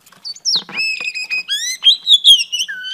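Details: Female Oriental Magpie Robin singing to excite males: clear sustained whistles, some held level and some rising, mixed with brief chattery notes and a final falling whistle. The recording is clean with no background noise.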